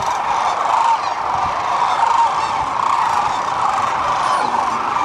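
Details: Massed sandhill cranes on the Platte River, Nebraska, during spring migration. Countless overlapping calls form a continuous loud chorus, with a few single trumpeting notes standing out above it.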